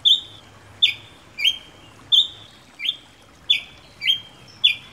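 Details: Ruby-crowned Tanager (tiê-preto) singing: a series of eight clear, high notes, each opening with a sharp upslurred click and then held as a flat whistled tone, repeated roughly every 0.6 seconds over a quiet, faintly hissing background.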